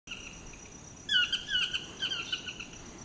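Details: Chestnut-mandibled toucan in Costa Rica display calling, a run of about five loud, yelping notes slurring downward in quick succession, over a steady high insect whine.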